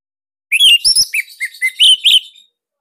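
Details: Caged orange-headed thrush, Bali type, giving a master song for training young or silent cage birds: a two-second burst of loud, clipped whistled notes, some rising, some falling, tightly packed together.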